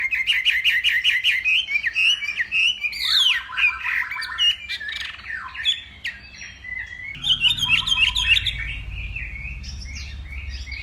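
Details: Hwamei from northwest Vietnam singing in a contest-style morning practice session: loud, varied whistled phrases with rapid repeated notes, swooping slurs and trills, a brief quieter gap, then another burst of fast repeated notes.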